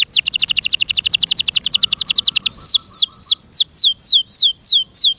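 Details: Caged canary kept by its owner singing loudly: a fast trill of rapid high notes, then a series of repeated downward-sweeping whistles about every half second.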